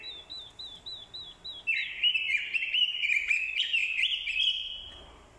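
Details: A captive orange-headed thrush kept as a decoy gives a run of quick, wavering high notes, then a loud, rich, scratchy warble that fades; this is described as challenge song, with female song played to stimulate males.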